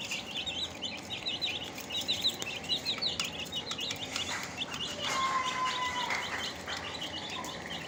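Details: A group of fresh chicks keeps up busy, high-pitched peeping. Short downslurred cheeps come in quick clusters, and a brief steady whistle-like tone stands out midway.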